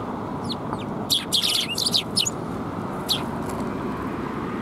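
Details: Fluffed-up sparrows, recorded on 1 February 2021, giving a burst of bright, sharp chirps, several overlapping in quick clusters around one to two seconds, then a lone chirp later, over a steady low hum of traffic.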